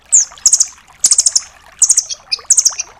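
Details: Velvet-fronted nuthatch, locally 'rambatan doraemon', on a tutor recording for songbirds; rapid high chipping rattles in quick succession, one longer run of about six notes, plus a few thin slurred notes.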